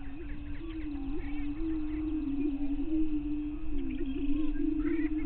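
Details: Lek of greater prairie chickens at 5:30 a.m. on May 9, 2023, Bluestem Prairie Scientific and Natural Area near Glyndon, northwestern Minnesota; steady deep moaning boom with small pitch wobbles, faint cackling calls above.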